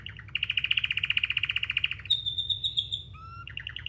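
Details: Pet canary singing a varied song: a fast trill of about twenty rapid repeated notes, then a sustained high whistled tone, a brief lower note, and a closing run of quick chirps, with faint low background hum.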